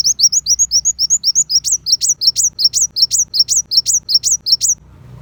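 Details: High-pitched tutor song of the kolibri wulung sunbird for competition shamas: repeated upslurred chips at a quick pace, shifting midway into sharper double notes with a bright flick, then stopping abruptly.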